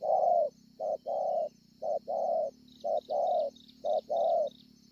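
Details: Scar-breasted wild-caught spotted dove cooing at Ngọc Hồi, 25 March 2020. Four coo pairs follow in quick rhythm, each a brief note and then a fuller sustained one. Faint high chirps and a continuous high hiss sound behind it.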